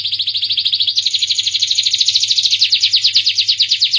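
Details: Starblue canary singing a rapid, even trill of high chirping notes that steps up in pitch after the first second and keeps rolling on steadily, with a soft low hum underneath.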